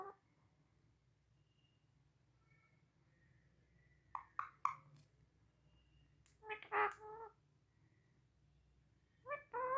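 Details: Pet Indian ringneck parakeets talking in Hindi: three brief, speech-like bursts of raspy, voiced syllables with quiet gaps between them, over a low indoor hum.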